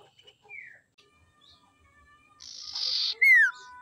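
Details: Female common iora, used as a lure to provoke and draw out males. Faint scattered notes give way to a loud harsh buzzy rasp, then a sharp, loud, falling whistle near the end.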